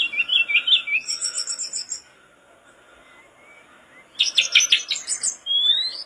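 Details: A mangrove blue flycatcher in vigorous song, used as a tutor recording for other birds, sings two bursts of high, varied chirps and sweet whistles split by a two-second pause; the last burst ends in a thin, rising whistle.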